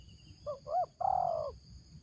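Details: Spotted dove decoy bird with a 'ngeruk' voice gives two short, rising hoarse notes, then one long, even coo that falls slightly at the end. It is a single full phrase over a quiet background.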